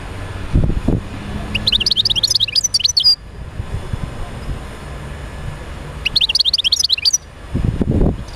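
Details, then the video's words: European goldfinch song to stimulate other goldfinches to sing: two phrases of fast, high, chattering twitters about four seconds apart, with low thumps before and after. "تحفيز طيور الحسون على تغريد"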